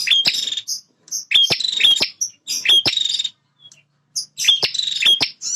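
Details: Male bar-winged prinia, described as a fighter guarding its territory, in full song: four loud buzzy trills punctuated by crisp clicks, repeated roughly every second and a half with brief gaps between.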